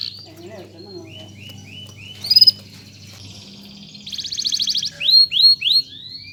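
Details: Master canary song for training young birds: quiet opening of short repeated downslurred notes, a sharp burst, a buzzy trill, then three loud descending sweeps, with a low hum in the background.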